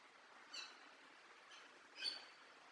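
A parrot gives two brief, high, bright chirps about a second and a half apart over a steady background hiss.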